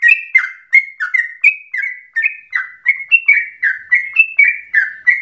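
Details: Energetic Sooty-headed bulbul song meant to provoke other birds into singing and to serve as a tutor: liquid two-note whistled phrases, slightly falling, delivered roughly once a second in a continuous run.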